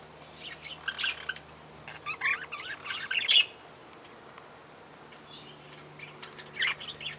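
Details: Lineolated parakeet (Catharina parakeet) chirping in scattered short bursts of bright, twittering notes separated by quiet gaps, with a low steady hum underneath.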